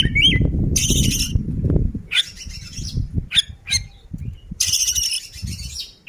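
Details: Oriental magpie-robin (kacer) in ngobra display, singing in gacor ngeplay style: a high whistled note, then loud harsh buzzy bursts and short sharp chips, over a heavy low rumbling background noise.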